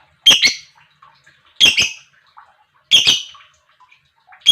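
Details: Lovebird chirps meant to excite other lovebirds: loud harsh two-part chirps repeating about every one and a quarter seconds, quiet between.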